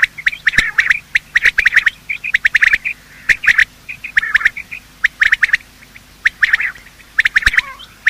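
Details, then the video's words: Morning sounds of male and female quail meant to lure them for hunting: irregular runs of squawky chirps and chatter, with sharp clicks and occasional gaps of quiet. "Quail calling sound: master the Art of Quail tripping | Bater Awaz Subha"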